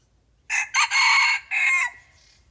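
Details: A red junglefowl lured in with a decoy bird gives one loud, hoarse crow, broken into four quick segments with a long held third part, lasting about a second and a half against near silence.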